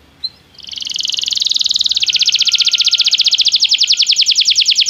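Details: Belgian canary singing during song training: after a brief chip, a smooth sustained tone turns into a long, very fast rolling trill of high notes that grows louder and steadier.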